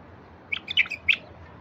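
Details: Wild bulbul song meant to prompt silent wild bulbuls into singing: one short burst of four or five bright, chirpy notes in quick succession, the last the loudest, over a quiet low background hum.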